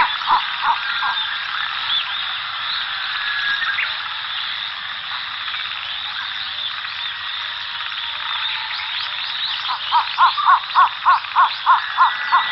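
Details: Cinnamon bittern giving short, hollow croaking notes repeated about three times per second in bursts at the start and end, over a dense, continuous, high buzzing chorus.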